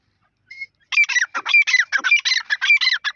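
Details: Partridge calling: a rapid run of harsh, chattering notes repeated nearly twice a second, loud and close, with a short faint note before it.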